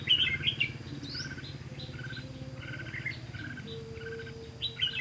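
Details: Red-whiskered bulbul heard during bird trapping on 18 September 2016: bright chirpy whistled phrases in quick clusters, several notes repeated through the five seconds over a steady low hum.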